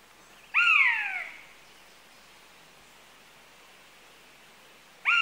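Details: One clear, descending, mewing cry from a buzzard, followed by a long silence, then the start of a second call at the very end.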